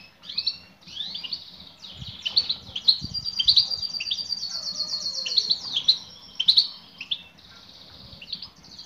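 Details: Female European goldfinch calling to a male: a lively stream of high, twittering notes with some drawn-out, slightly buzzy tones and a faint low background murmur.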